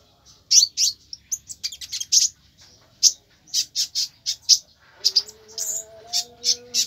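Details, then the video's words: Konin repeating loud, clipped high chirps in a rapid, steady series, about three per second, with a low tonal hum entering near the end. "tembakan konin sadis"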